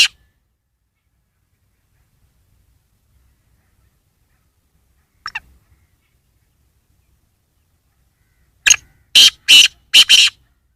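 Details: Black francolin calling: after a long silence, a brief double note, then a harsh, grating phrase of one short note and four loud buzzy bursts in about two seconds.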